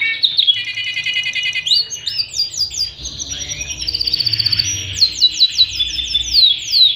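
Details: Panda canary song used as tutor material for young canaries and to prompt reluctant birds to sing, with fast high rolling trills, rapid repeated chips and sweeping whistled notes flowing in a continuous, varied stream.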